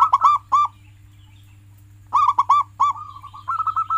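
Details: Local zebra dove, a prolific singing pet bird, heard in a recording meant to prompt silent pet doves to sing: loud clipped cooing notes in tight clusters, then a softer rolling purr-like trill, over a steady low hum.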